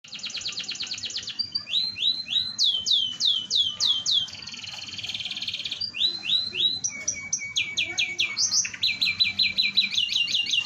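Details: Canary in full gacor singing, a lure song meant to set other canaries singing: fast buzzy trills alternate with sweeping high whistled phrases and rolling repeated notes, nonstop for ten seconds, with a faint low hum behind.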